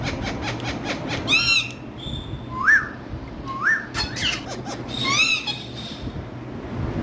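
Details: Pet green parrots call with short stacked squawks and several rising whistled notes spaced about a second apart, over a steady low background hum.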